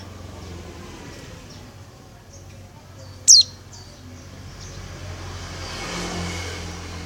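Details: Oriental white-eye female calling the male with one brief, piercing downward-slurred note, a few faint high ticks nearby and a rising hiss of background noise later.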